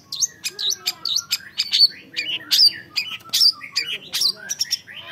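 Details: Young long-tailed shrike singing, a rapid run of sharp high chirps and whistled notes, some rising and some falling, about seventy a minute, with a varied, scratchy mimicking quality.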